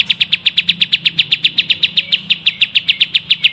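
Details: Songbird from a tutor recording for cage birds, giving a sharp high chip repeated steadily about four times a second, over a faint low hum.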